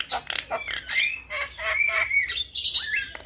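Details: Vigorous song of a young Javan myna, used to draw replies from other mynas: rapid harsh chirps alternating with long, bright whistled slurs that rise and level off, delivered without pause.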